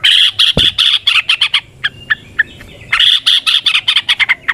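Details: Yellow-vented bulbul chattering loudly for use as a lure: two dense bursts of harsh, high scratchy notes separated by a few short, lower chirps, all fast and rhythmic.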